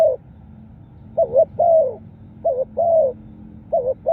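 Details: Spotted dove cooing, a recording offered as a lure for wild birds: low hollow coos, each a quick doubled note followed by a longer slurred falling coo, repeated about every 1.3 seconds over a faint low rumble.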